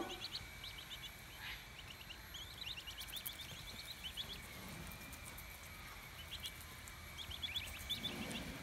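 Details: An Australian wood duck duckling, 18 days in care after arriving not long hatched, peeps in quick bursts of thin, high notes, several clusters over the clip, against a steady low rumble and faint hum.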